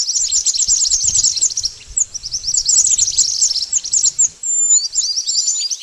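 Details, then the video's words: Trapping lure of pied bush chat: busy, high chirping phrases with short pauses, ending in sparser, sweeping whistled notes. "Suara pikat burung mantenan ampuh"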